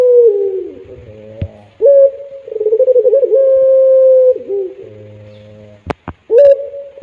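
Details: Puter dove singing a long pelung coo. A falling tail note gives way to a short intro, a throbbing middle and a long level mellow tone. Then a pause with low hum and two sharp clicks before a fresh coo begins.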